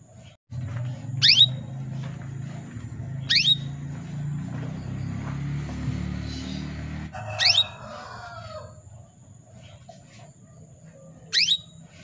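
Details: Female canary calling to males, used to make male canaries sing: four sharp, high downslurred calls spaced two to four seconds apart over a steady low hum.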